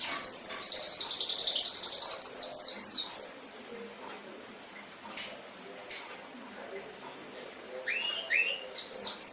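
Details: Canary master training recording: about three seconds of fast, high rolling trills, a quiet gap with a few clicks, then the song returns in short rising notes near the end.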